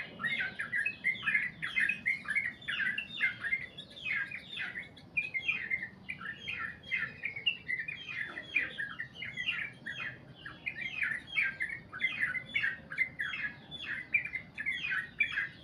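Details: Sooty-headed bulbul giving a long continuous song in the style called goklik panjang: rapid chattering, bubbly phrases repeated without break for over fifteen seconds, mid-to-high pitched, with faint background hiss.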